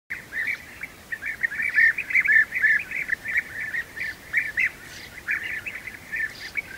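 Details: European bee-eaters at the nest while young are being fed: a dense run of rolling, trilled mid-pitched notes, overlapping and repeated several times a second with uneven spacing.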